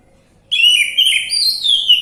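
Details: Orange-headed thrush singing on a lure track intended to trigger a quiet bird: after half a second of near silence, a continuous rich, warbled whistling phrase with rapid twists and slurred notes runs to the end.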